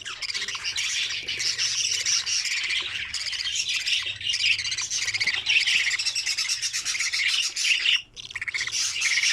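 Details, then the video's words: Young budgerigars in an opened nest, feeding each other: continuous rough, wheezy chatter with fast rattling pulses, a short pause near the end, then the rasping resumes. "فتحت عش عصافير البادجي واجمل فروخ وازاي الزغاليل بتأكل بعض"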